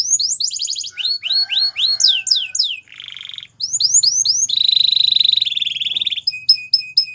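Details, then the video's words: Male Belgian canary singing: rapid series of rising and falling sweeping notes, a buzzy low trill near three seconds, then a fast bright trill and short repeated whistles, all high-pitched and clear. "Canary Sounds Male | Belgian Canary Singing"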